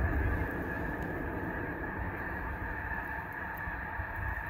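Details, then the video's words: Thousands of snow geese taking off and landing on a lake, their wings flapping against the water in a deep, steady rumbling roar, with a constant mass of honking voices above it. "The Thunder of Thousands of Snow Geese Taking Off and Landing on a Lake"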